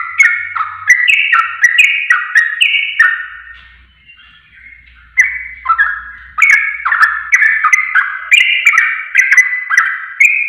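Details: A yellow-vented bulbul (trucuk) sings rapid, bubbly chattering phrases of liquid notes, pausing briefly before resuming, as a training recording meant to draw other birds into answering; no other sounds are heard.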